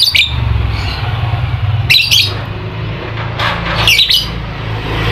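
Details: Lovebird, used as a lure to make a quiet lovebird sing actively (ngekek): a few harsh, high chirping bursts spaced about a second or more apart over a steady low rumble.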